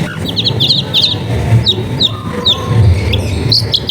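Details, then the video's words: Long-tailed shrike song, recorded in a densely populated residential area and used to lure silent shrikes into singing. Sharp, high chirps come in quick clustered bursts, then single downslurred notes about every half second, over heavy low background rumble. "CENDET GACOR FULL TEMBAKAN TAJAM COCOK BUAT PANCINGAN CENDET MACET BUNYI"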